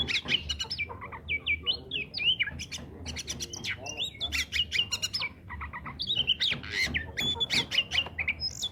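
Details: Oriental magpie-robin singing, a recording meant to prompt silent magpie-robins to sing: rich varied phrases of whistles, slurred notes and harsh squawky elements, with sharp clicks and rapid bursts; low hum underneath.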